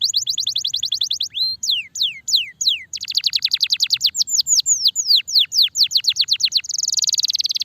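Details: Kenari starblue, a canary, in extended energetic song for training birds: rapid trills and rising and falling whistled notes in fast series, closing with a dense buzzy trill.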